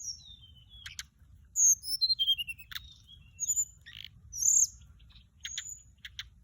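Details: Lure song of an orange-breasted, white-bellied flycatcher: a cascade of high whistles sliding downward, clicking ticks and a loud upslurred whistle, with paired sharp clicks near the end.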